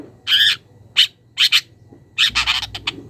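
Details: Young long-tailed shrike from the wild calling a rival and beginning its mimicry: a few loud, harsh nasal squawks, then a fast stuttering chatter of rasping notes toward the end.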